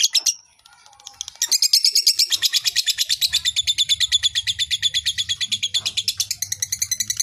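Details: Lovebird ngekek panjang, a drawn-out trill meant to excite fighter birds: a short opening note, a pause, then a long rapid chattering rattle of shrill notes over a faint low hum.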